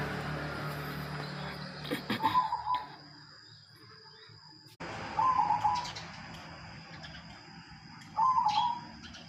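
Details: Local wild-type zebra dove of the silver variety, long kept in captivity, giving soft, rapidly trilled cooing phrases about three seconds apart over steady background hum and noise.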